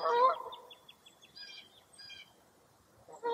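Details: A foggy early April morning at Mirror Lake State Park, Wisconsin, brings loud, harsh honking bursts at the start and end from a wild bird, with faint high ticking notes and short chirps in between.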